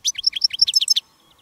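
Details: Goldfinch decoy singing on a field day of wild-bird catching with a female decoy bird: about one second of quick, liquid twittering notes jumping between pitches, then silence.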